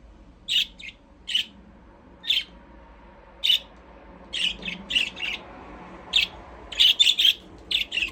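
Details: Budgies in an aviary give scattered high, scratchy chirps one or two at a time, becoming busier toward the end over faint room hum.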